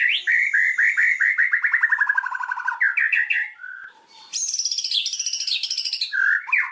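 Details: White-rumped shama lure song meant to set birds singing: a long rapid series of descending whistled notes, a short pause, then a fast high rattling trill and a few closing slurred phrases.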